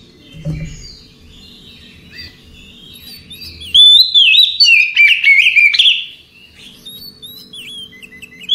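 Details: Oriental magpie-robin singing a relaxed song at night: quiet faint notes at first, then from about four seconds a loud run of clear whistled, slurred phrases rising and falling, with sharp chirps mixed in, fading near the end.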